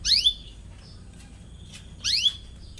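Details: Atlantic canary in full voice calling "cuit cuit" as it searches for a rival, used to teach young canaries; two bright, high, downward-sweeping chirps two seconds apart with faint softer notes between.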